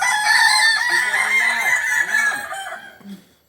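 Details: Kukuak Balenggek rooster, original Solok breed, holding a loud harmonic crow for over two seconds that slowly fades, while lower arched clucking notes from nearby fowl sound underneath.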